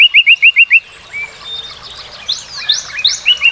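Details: Northern cardinal singing: six clear, downslurred whistled notes repeated quickly in an even series. Then softer, mixed chirps and slurred notes from other birds take over.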